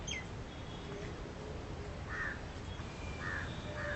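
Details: Western swamphen with chicks at feeding time: a high descending note opens, then three short, rasping mid-pitched squawks in the second half over constant background hiss.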